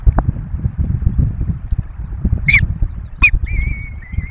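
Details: Peregrine falcon nest in the Barycz Valley, webcam view of four chicks being fed; two short, sharp chipping notes, then a thin level whine drawn out to the end, under heavy wind buffeting.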